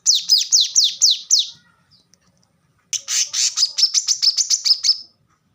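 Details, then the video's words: Plain-throated sunbird, a training recording for caged birds, giving fast bursts of high, sharp notes. A run of six ringing notes is followed by a pause, then a longer and faster rattling series of about fifteen notes. "kolibri kelapa | manggar | wiceh | korlap gacor tembakan rapat"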